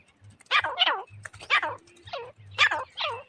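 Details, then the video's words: Grey francolin call used as a hunter's lure: paired harsh, arching notes repeated in quick groups, loud and ringing, with a low electrical hum underneath. "तीतर की आवाज"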